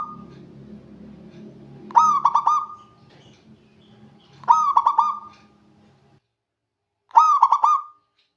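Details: Local Indonesian zebra dove singing to call rivals: three rolling, stuttering coo phrases roughly two and a half seconds apart over a low rumbling background hum that fades midway.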